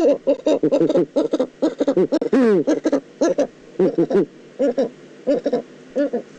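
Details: Eurasian eagle-owl in the Eifel, Germany, 9 September 2014, giving a dense stuttering series of short harsh notes, one sweeping descending cry in the middle, then slower, evenly spaced single notes over a faint background hiss.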